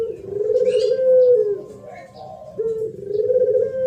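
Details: Spotted dove singing thổ pháp style to provoke males and females: a long, loud, steady coo that dips, then rises again into a second sustained coo.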